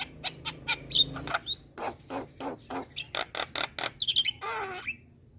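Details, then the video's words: Starling lure with steady harsh, rasping notes about two per second, occasional bright whistles, and a grating wavering phrase at the end. "Pancingan Semua Jenis Burung Jalak | Jalak Kebo Jalak Putih / Jalak Nias Langsung Respon"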